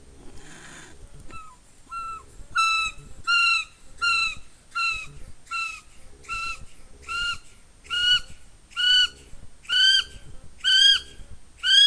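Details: Within 500 m of Russell Wharf, New Zealand, at night, a male kiwi gives a soft low grunt just before calling, then a long series of about a dozen shrill, rising whistles about a second apart, growing louder.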